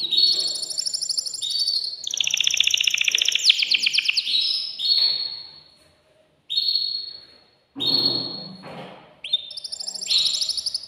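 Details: Caged, excited male canary singing to stimulate a female to mate: a long, high, varied song of rapid rolling trills, buzzy rattles and bright whistled notes, with short pauses between phrases.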